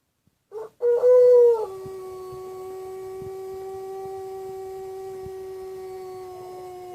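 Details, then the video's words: White Pelung chicken crow: a short, louder wavering opening, then a very long, steady, lower tone held smoothly for about five seconds in a quiet setting. "Kompliasi Langka Suara Ayam Pelung Putih Istimewa"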